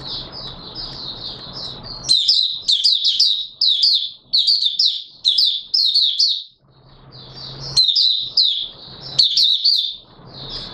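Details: Oriental white-eye singing, recorded 24 March 2022: a soft high twitter over background noise gives way to a long, loud run of rapid chattering phrases full of sharp upward-flicked notes, with a brief lull mid-way.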